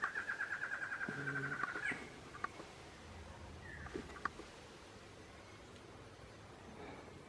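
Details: A male barred antshrike (Thamnophilus doliatus) sings a quick, nasal, slightly accelerating series of about a dozen notes ending in a rising upslur, then a few soft calls; Mana Dulce dry forest reserve near Bogotá, Colombia, 23 January 2017.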